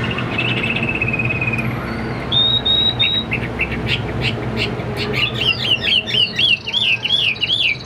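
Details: Chinese hwamei kept in a cage, roughly 85% tame, opens with a thin level trill, adds short clear whistles, then ends with a fast series of bouncing, wavy whistled notes over low background hum.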